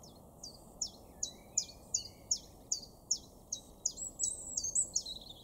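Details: Common chiffchaff singing in a garden in Weener, East Frisia, far northwestern Germany, April 2023: a steady series of about eleven sharp, downward-sliding chip notes, roughly three per second, with another bird's thin twittering overlapping near the end.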